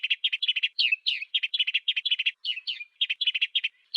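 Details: Continuous chattering of an African sparrow, recorded as a master for training songbirds: dense paired and tripled chirps, with occasional slurred, falling notes, repeated without pause.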